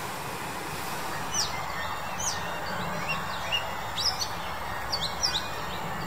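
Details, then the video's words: A male Chinese blackbird, in February 2021, gives thin, high, sharp chirps irregularly about once a second over a steady rumble of distant traffic. "中國黑鶇 (雄) Chinese Blackbird (male)"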